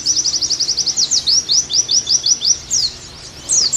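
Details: Oriental white-eye song meant to bring the bird back into strong song: a rapid run of about a dozen short high notes, then slower, louder downslurred whistles spaced evenly, ending after a short pause.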